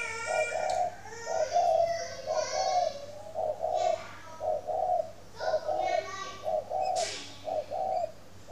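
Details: A captive spotted dove at a dove farm in Ba Vì, Hanoi, Vietnam, sings in the morning: soft, low, hollow cooing phrases of several notes, repeated steadily, with a brief higher chirp and faint background voices.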